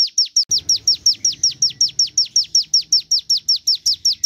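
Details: Ciblek gunung, or Javan tesia, song used as a lure: fast, regular, high chips sweeping downward, with a soft low rumble underneath for much of the run.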